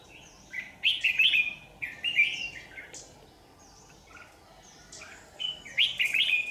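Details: At a trap along a power line on 27 January 2019, a red-whiskered bulbul lure bird gives short, lively warbled phrases in several bursts with pauses between, plus faint higher notes.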